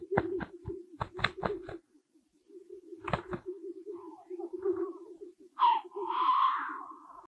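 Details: Black grouse cocks at a spring lek in Kuusamo, Finland, where cocks fight: a low, steady dove-like bubbling rolls on throughout, broken by sharp clapping bursts and a harsh, sneezing hiss near the end.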